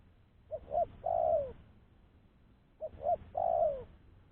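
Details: Spotted dove coo for decoying other doves, two phrases each of two clipped notes followed by a sustained downward-sliding coo, with near silence between them.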